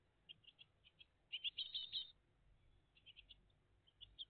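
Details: Great tit family at the nest, live in the early morning of 20 June 2023: short bursts of high, scratchy chirps, a dense cluster midway, with sparser single notes before and after.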